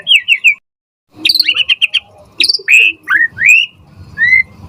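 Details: White-rumped shama song for drawing a fast answer from other birds. A brief chattering trill, a pause, then a dense chatter and several clear, rising whistles spaced well apart.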